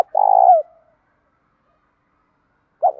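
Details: A long, steady, buzzy coo from a spotted dove in 'thúc dút' style, a field voice mixed with a little 'thổ', used to provoke other doves. It falls slightly at the end, then a short hoot begins the next phrase.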